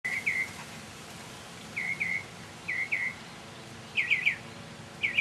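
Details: Mockingbird singing in the early evening in May 2007, repeating short whistled two-part phrases in groups about once a second, ending with a quicker triple-noted phrase; faint steady background hum.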